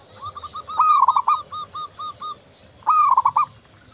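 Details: Local zebra dove in full song, played as a lure to make other doves sing: a rolling coo opening into a run of evenly spaced soft notes, then a fresh phrase begins near the end.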